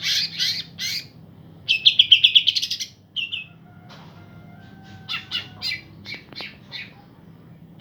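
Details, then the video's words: Singing pair of green leafbirds, played to arouse birds that have dropped out of song: loose chirps, then a quick pulsed trill about a second long, a short note, and later several scattered high chirps with thin whistled tones. "ijo sepasang gacor buat mancing emosi burung drop"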